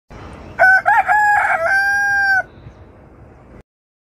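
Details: Rooster crowing once, a loud harmonic cock-a-doodle-doo with a stuttering start then a long level held note lasting about two seconds, followed by faint background noise.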